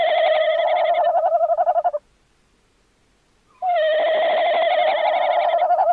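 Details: Tawny owl, 11 January 2026: two long quavering hoots with a rapid, even tremolo, separated by a silent gap of about one and a half seconds, with no other sounds.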